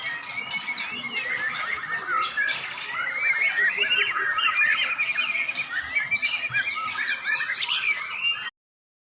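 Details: Caged white-rumped shama, a seven-month-old bird on its first contest trial, said to have won in the adult class; rapid, continuous, varied song of chattering notes and short whistled flourishes, mostly mid-to-high pitched, sustained throughout with little pause.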